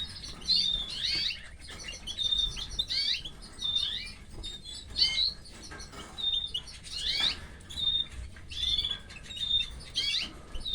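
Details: Female canary feeding her chicks: repeated bursts of high, squeaky begging cheeps, each burst about a second long and coming every second or so, with rustling in between.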